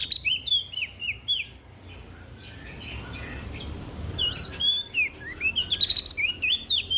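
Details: Olive-backed tailorbird from West Nusa Tenggara, lively song played to prompt other birds. Quick high chirps open, then a softer stretch with noise, then an accelerating series of sharp, wavering notes through the last seconds.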